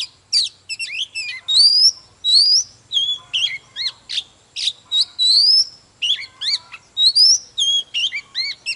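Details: Oriental magpie-robin, an old wild-caught bird, singing and displaying while fired up. Loud sequence of rising whistled sweeps alternating with crisp chips and lower looping notes, almost continuous throughout.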